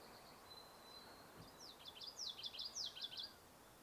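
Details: Common Yellowthroat calling on a warm, sunny early morning on May 3 at Sargeant Bay Provincial Park, British Columbia: a quick run of about five high, slurred, rolling phrases after a faint thin whistle, over steady outdoor hiss.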